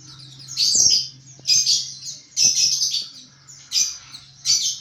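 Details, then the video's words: White-eye (pleci) giving ngriwik chatter, used as training and therapy song for kept birds: five bursts of rapid, scratchy, high twittering about a second apart, with a steady low hum underneath. "Penggacor Pleci NGRIWIK"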